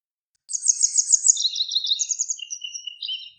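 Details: Grey wagtail giving an extended song phrase: a fast, high trill of sharp notes that drops into lower, twittering notes and ends with a thin descending series, about three seconds long.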